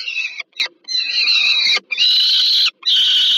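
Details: Peregrine falcon at a nest in Warsaw, Poland (Termika Żerań), 15 August 2022, during a food delivery to a young bird: loud, harsh, harmonic wailing calls in long drawn-out bursts separated by brief gaps.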